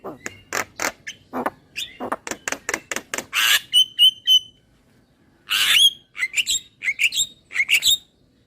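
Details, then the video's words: Javan myna delivering rapid harsh squawks that build into a long rasp, then three clear high whistles, a pause, and a further burst of rough notes and upswept whistles. "Suara Jalak Kebo"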